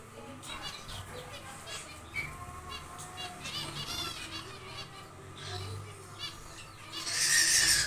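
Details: Several zebra finches busy nest building in a small aviary utter clustered nasal honking beeps, rich in overtones and irregularly spaced, above a low steady hum, ending with a loud broadband rustling burst.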